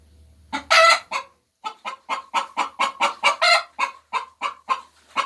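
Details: Hens cackling after laying eggs: a loud, harsh squawk, then a run of short clucks about twice a second, each note stacked and nasal, with a brief pause midway.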